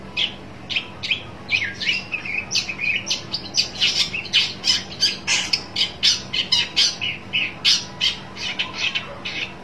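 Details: Long-tailed shrike calling to find a rival: a sustained, rapid stream of rasping, scolding notes for nearly ten seconds, loud and grating, with slight pauses between bursts.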